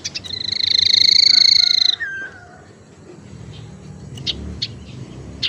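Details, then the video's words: Tailorbird lure sound used to attract and to encourage non-singing birds: a loud, high, rapidly pulsed trill lasting nearly two seconds, followed by quiet with a few faint sharp chips. "suara pancingan sirtu teras"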